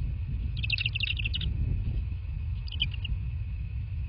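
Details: At a southwest Florida nest on 03/02/2024, 22:40, bald eagles give a quick burst of high, piping chitters, then a shorter second burst, over a continuous low rumble and faint hum.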